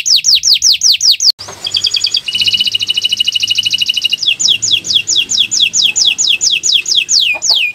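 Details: Atlantic canary singing in a master recording for birdkeepers: a quick downslurred tour, a dense rattling trill, then a long run of evenly repeated falling whistles.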